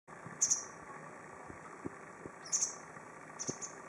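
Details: White wagtail of the lugens subspecies singing in a tree at Goryokaku Park: three bursts of very high, sharp double chirps spaced about a second apart over a steady low hum and faint ticking.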